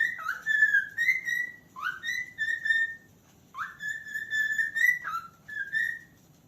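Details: A calling cockatiel gives long, clear whistles, each beginning with a quick upward swoop and then holding a steady pitch. A few dip abruptly before continuing, with short silences between phrases.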